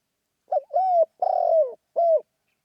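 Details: Spotted dove calling in the lively 'khan yon' style favoured for decoy luring. One phrase: a brief hoot, an arched coo, a long rough downward-sliding coo, then a short closing coo, against a silent background.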